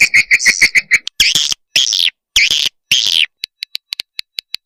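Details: Swiftlet calls from a combined mating-call recording meant to draw swiftlets: a quick run of six buzzy notes, then three longer rasping, chattering calls, ending in a series of evenly spaced sharp clicks.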